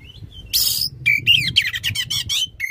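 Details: Oriental magpie-robin's loud song, used to stimulate a magpie-robin that has gone quiet; a soft whistle, then a harsh rasping burst followed by quick warbled and buzzy notes.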